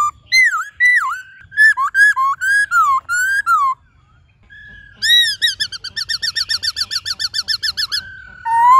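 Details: Captive-training song of the white-cheeked laughingthrush: rich whistled notes with swooping slurs, a short pause, then a long rapid run of repeated bouncing whistled notes, ending on a low rising whistle.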